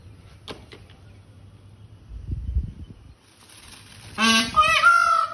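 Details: A peacock, filmed while dancing, gives one loud, nasal, wailing call near the end, rich and harsh, then held on a steady higher note, after soft rustling and low background noise.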